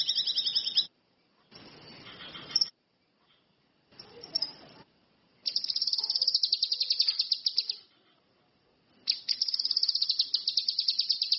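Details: Orange-headed thrush in lively song: brief high chatter, stretches of hissy noise with scattered notes, then two long, fast, buzzy trills of tightly pulsed high notes with short gaps between.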